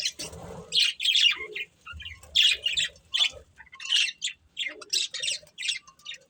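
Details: Breeding pair of budgerigars giving bursts of harsh, scratchy chirps and squawks in short clusters about once a second, with soft low chatter and faint thumps between bursts.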